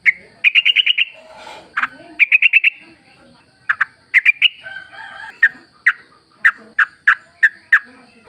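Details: Yellow-vented bulbul song serving as a lure for caged birds: quick runs of five or six crisp chirps, then well-spaced single sharp notes about every half second.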